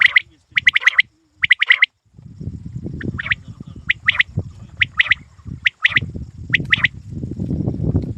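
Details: Quail giving quick bursts of sharp, clipped double and triple notes, with short pauses between them. A steady low rumble, like wind or handling, runs under most of the calling.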